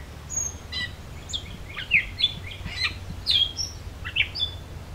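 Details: Gray Catbird singing after a Northern Cardinal on a summer solstice 2024 hike in Beverly Swamp, Flamborough, Ontario, Canada: a jumbled run of short squeaky, scratchy notes at varied pitches, with a steady low hum beneath.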